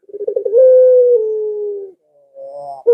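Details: A Barbary dove calls to entice household doves to answer. A few quick throbbing pulses lead into a sustained, slightly falling hollow coo, followed by a fainter rising note and the start of another.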